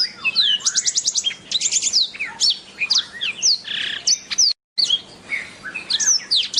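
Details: Black-throated canary song: rapid varied chirps and trills, fast repeated high notes and sweeping whistles, with a brief silent break near the end.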